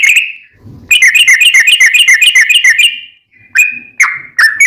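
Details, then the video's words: Yellow-vented bulbul song for luring other bulbuls to reply. A brief whistle, a soft low rustle, then a rapid rattling run of bright repeated notes, followed by a few sliding whistled notes. "trucukan gacor ROPEL PANJANG buat pancingan trucukan agar bunyi"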